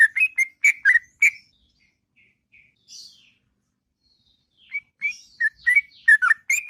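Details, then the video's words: Sooty-headed bulbul singing a long, melodious ngropel song in the morning: bursts of short warbled notes around mid pitch, a quiet gap, then another rapid run of bubbly chirps. "Burung Trucuk Ngropel Panjang & Merdu Di Waktu Pagi"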